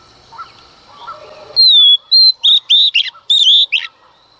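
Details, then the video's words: Female Oriental magpie-robin sings at dawn to provoke males. After soft distant chirps, she bursts in with a long falling whistle, then rapid loud whistled and buzzy notes, about eight in two seconds. "Choè than mái hót kích trống hót căng sáng sớm"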